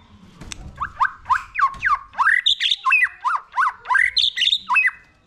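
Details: Young white-rumped shama, excited into singing: a rapid series of about a dozen swooping whistled notes, each sliding up then down, some pitched higher, delivered roughly three per second with brief gaps.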